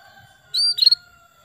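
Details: Calling female canary luring a male to sing: one strong high note, then a fast trill of chirps, over a steady low electrical hum.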